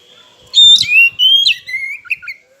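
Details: Oriental magpie-robin song used as a lure to provoke rival birds into singing: clear, high whistled notes, some sliding downward, followed by short chirpy twitters in a brief phrase.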